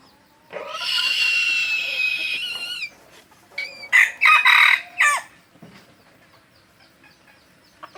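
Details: Aceh red junglefowl, kept as a lure bird, crows loudly: a long, strained, harsh note lasting about two seconds, then a broken series of shorter rasping bursts before fading to quiet.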